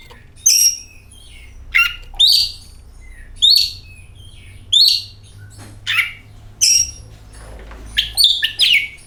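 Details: Oriental magpie-robin song used to lure the bird into singing: bright whistled notes and short rasping phrases spaced about a second apart, with a faster jumble of whistles near the end.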